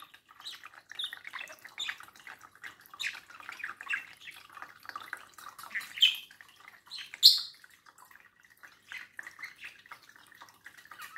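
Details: Pet budgerigar at a mirror, chattering to its reflection indoors: a continuous busy warble of scratchy chirps, clicks and short squeaky notes, with a few louder sharp peeps standing out near the seventh second.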